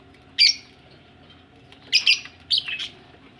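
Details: Budgerigars ready for laying eggs give three short, harsh chirps: one alone, then a close pair and a slurred double note near the end, over a low steady hum.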